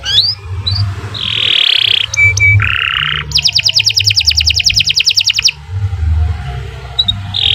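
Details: Canary in long, continuous gacor song for tutoring other birds: a buzzy rising slur, a steady flat whistle, then a long fast trill of sharp repeated notes, with a low hum underneath.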